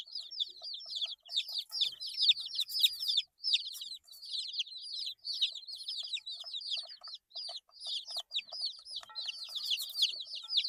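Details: A busy chorus of eight-day-old baby chicks: high, thin, down-slurred peeps overlapping steadily, broken by brief gaps, with light rustles in the background.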